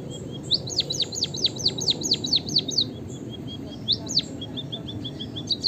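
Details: Emprit kaji, the white-headed munia, in full song: a burst of sharp descending whistles, then soft thin level notes and a lone falling note, with faint low background noise.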